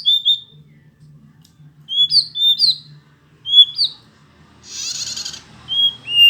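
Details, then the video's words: Hill blue flycatcher song of clear, slurred whistled phrases rising and falling in short bursts, broken by a brief hissy noise near the end. "burung sikatan ninon/burung sikatan biru muda ngoceh"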